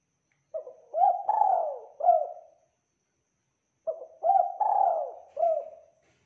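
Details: Spotted dove song recorded as training material for caged tekukur: two identical four-part cooing phrases about three seconds apart, each rising, swelling and then falling away, clear and rich.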